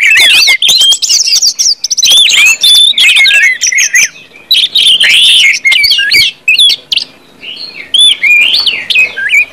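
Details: Orange-headed thrush in loud, open ngeplong-style song, used to prompt other birds to sing: a dense run of varied whistled and chirped phrases, rising and falling slurs and quick trills, with brief gaps between bursts.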